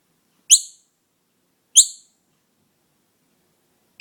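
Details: Noisy miner fledgling without its mother, being raised at home, calling with brief piercing high notes that drop quickly, spaced a little over a second apart.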